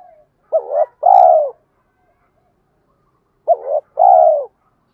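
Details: Spotted dove giving a 'tiếng thúc' decoy call to stir up wild doves. A pair of phrases three seconds apart. Each is a short bent double note and then a long, husky, descending coo, with silence around them.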